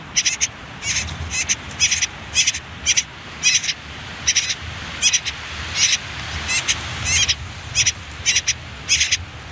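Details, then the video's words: Last day in the nest for common whitethroat young, concealed under reeds and nettles close to a river: a continuous run of grating high chirps, many in close pairs, about twice a second. "Птенцы последний день в гнезде Славка серая, Sylvia communis"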